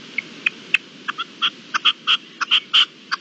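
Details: Red-legged partridge, recorded 25-04-21 in Spain, giving a run of harsh, chopped notes that speed up and grow louder, roughly four per second by the end, over a faint rural background.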